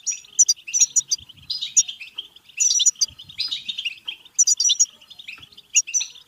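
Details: Goldfinch song, played to stimulate singing and mating: rapid sparkling twitters and sharp high chips in loud bursts over a steady tinkling chatter, with a few buzzy notes between.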